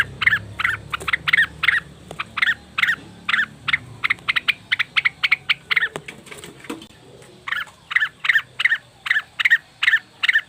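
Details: Leafbird calling as a lure for wild birds: long series of harsh, scratchy chattering notes in quick uneven bursts, a brief lull midway, then steady rhythmic chatter resuming.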